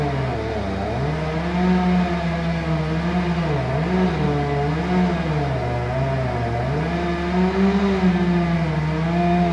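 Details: Loud engine drone whose pitch rises and falls as it revs, with no animal voice.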